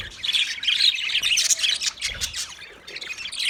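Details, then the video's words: Chirping budgerigars: quick bright twitters and scratchy squawks tumbling over one another, briefly fading before a last burst. "Parrot Calling sounds, Parrot sound video , Natural Budgie Parrot video , Birds chirping sounds"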